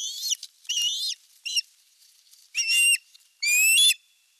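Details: Osprey at a Western Finland nest, July 2022, the male landing with a big fish: three quick slurred whistles, a short gap, then two louder, longer, strained piping calls.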